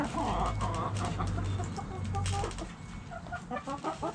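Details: Hens and roosters in a backyard, with quick bursts of short clucks and chatter over a loud low droning hum, the calls thinning out toward the end.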